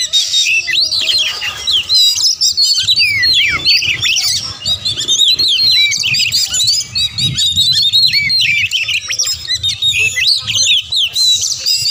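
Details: A rapid stream of Oriental magpie-robin song, sung to goad other magpie-robins into fighting: piercing whistles, rising and falling slides and chattering notes that overlap almost without a break.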